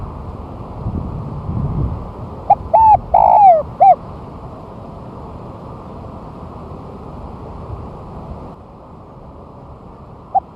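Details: Spotted dove one month after moulting, set down on the ground and singing vigorously, recorded as a lure: one brief cooing phrase of short and longer hollow notes with a falling rolled coo, amid steady low background noise.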